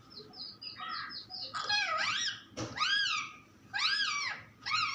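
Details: Talking pet parrot starting with soft quick chirps, then loud arched, harmonic syllables in three main bursts with short pauses, over low background noise.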